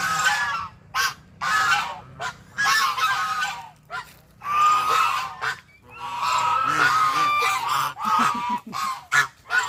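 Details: Several ducks give loud, nasal, honking quacks in choppy bursts separated by short silences, calls overlapping and varying in pitch, with a few clearer sustained notes midway.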